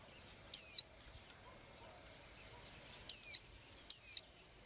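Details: Small blue-eyed bird that sings daily, giving three strong slurred whistles that drop in pitch, one early and then two close together near the end, with faint high chirps in between.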